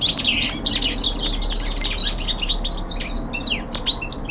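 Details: Common linnet, young male kept indoors, singing winter descant: a chattering flow of sharp chirps and twangy notes, with a low steady hum in the background.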